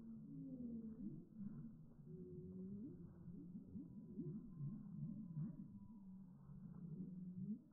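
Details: Heritage turkeys on a homestead, their calls played in slow motion, become deep, drawn-out moans and wavering, sliding tones, overlapping like whale song, with a faint high tone running steadily underneath.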